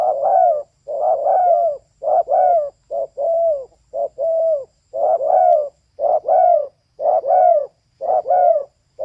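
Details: Female spotted dove cooing steadily and loudly, close up. About a dozen phrases follow at a regular pace of roughly one per second, each a paired note ending in a mellow, downward-curving coo.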